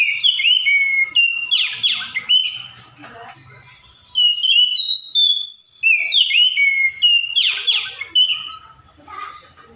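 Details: Oriental magpie-robin in full, varied song: loud whistled phrases, quick downslurs and buzzier notes, pausing briefly before a second energetic burst of repeated whistling.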